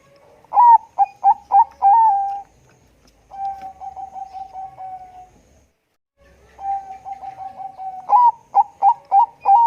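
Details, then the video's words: Bangkok-type zebra dove with a deep, thick voice calls steadily. Four punchy low notes and a held tone give way to a rapid even string of soft notes, a silence, then another soft string and more loud clipped notes. "perkutut bangkok gacor suara tebal memanggil bunyi"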